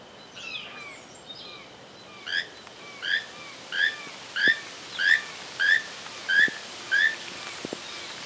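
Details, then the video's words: Keel-billed toucan (Ramphastos sulfuratus) giving a steady series of short, harsh, creaking notes, about one every two-thirds of a second, over faint chirps from other birds. "Keel billed toucan"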